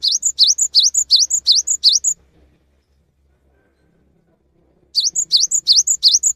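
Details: Cinereous tit singing as a lure recording meant to prompt quiet caged tits to sing: quick high two-part notes, a sharp drop then a rising whistle, repeated rapidly for two seconds, a pause of nearly three seconds, then the series resumes.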